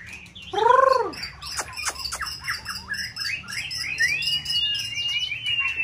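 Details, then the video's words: White-rumped shama, a caged competition bird in its prime season, in varied stimulating song; a loud, low, arched harmonic note opens, then clicks, buzzy fragments and long whistled glides follow. "Kích chòe lửa bông hót đa diện"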